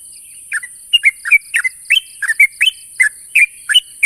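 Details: Sooty-headed bulbul calling out a rival, a quick string of short bubbly, slightly rising chirps, several paired, delivered roughly three per second against a constant high hiss and a faint pulsing tone.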